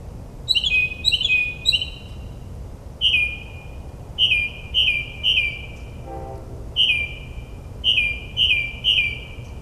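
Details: Suburban New Jersey northern mockingbird singing after dark, a mimic of many bird species: bright whistled phrases repeated in sets of two or three, each set followed by a short pause, with a brief low buzz midway.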